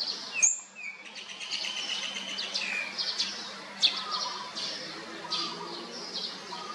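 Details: Olive-backed sunbird chicks being fed, fourth brood: high thin chirps and squeaky calls in rapid bursts, with sharp clicks and a steady low hum underneath.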